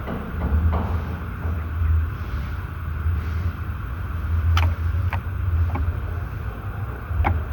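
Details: Steady low rumble of a vehicle with wind noise, broken by a few sharp clicks, and no animal calls.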